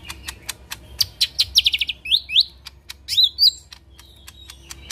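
Lesser green leafbird pouring out a fast, varied song of sharp clicks, bright rattled trills and quick rising whistled slurs, all high-pitched.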